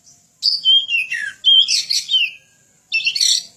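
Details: Oriental magpie-robin (kacer) song meant as a model for training other birds: loud whistled slurs dropping in pitch, a burst of harsh chattering notes, silence, then another rasping burst.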